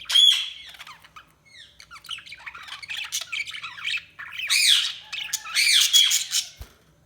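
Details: Budgerigars warbling and chirping in lively overlapping chatter, with high squeaky notes and rising, wavering phrases that swell in loudness, then a single sharp click near the end.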